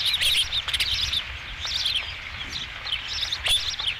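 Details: At an osprey nest on 5 July 2016, with the first fish: quick clusters of high, thin whistled notes, several per second, a brief lull midway, then another loud burst.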